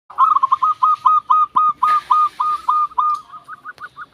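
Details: Zebra dove song: a fast run of short, clipped whistled coos near one pitch, about four per second, softening and quickening toward the end, with a faint rustle partway through.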